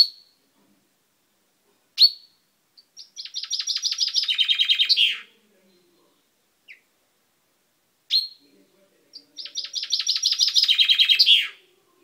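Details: Pet common chaffinch, recorded 10/05/12, its beak newly turned purple. It sings two loud song phrases: rapid repeated chipping notes that speed up into a descending trill and end in a flourish. Single sharp call notes come between the phrases in a quiet room.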